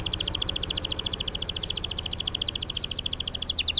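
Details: Canary singing a long roll to prompt silent canaries: a fast, steady high-pitched trill of buzzy pulses that runs through the whole stretch over a constant low background hum, closing with a couple of falling notes.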